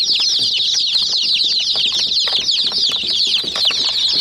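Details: Many young chicks attacking a small toy jeep: a continuous chorus of shrill, quick downslurred peeps, packed closely together, over scattered clicks of beaks striking plastic.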